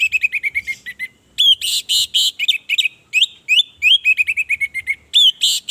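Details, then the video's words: Female orange-headed thrush calling to provoke males to sing out of mating urge and aggression. A steady string of short high whistles, then loud, buzzy, harmonic phrases mixed with sharp upslurred whistles, almost without pause. "Anis merah gacor pancingan jantan agar bunyi"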